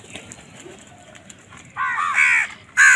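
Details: Crow giving harsh, loud caws in the final second and a half, a pair of stacked, slightly falling calls followed by a sharp burst, after a quieter stretch of faint background noise.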